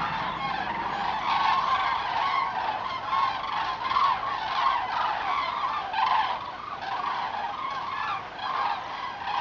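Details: A migrating flock of common cranes in October 2014 gives a dense, unbroken chorus of loud, rolling trumpet calls, many birds overlapping without pause.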